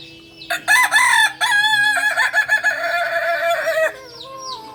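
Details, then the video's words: Singing rooster of the Kokok Balenggek breed from Solok, Indonesia, kept on a farm: a long crow of about three and a half seconds, broken into many quick stepped syllables, the pitch shifting between tiers, then fading to faint chirps. "Ayam kukuak balenggek ayam penyanyi asli solok"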